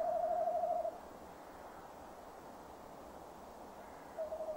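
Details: Male tawny owl at a nest box, 17:10 on 15 December 2015, calling while the female stays away: a trembling, level hoot, a long pause, then the start of the next hoot.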